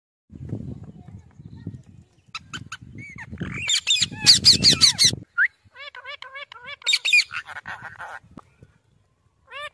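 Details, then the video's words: Parrot making varied sounds: low rumbling murmurs, a loud burst of harsh squawks, then a series of repeated short up-and-down whistled notes with pauses between. "Parrot | Tota | Parrot Talking | Parrot Sounds"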